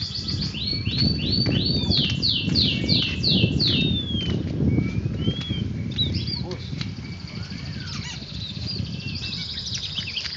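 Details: Oriental magpie-robin (kacer) in training, singing a fast series of rising-then-falling whistled notes, about eight in the first four seconds, followed by scattered sweeter whistles, over people talking and steady low rumble.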